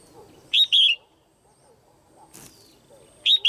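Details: Caged female Red-whiskered bulbul calling to excite males or to pair up. A sharp two-part call, a clipped note then a drawn-out falling whistle, is followed after a pause by a brief click and then the same call again.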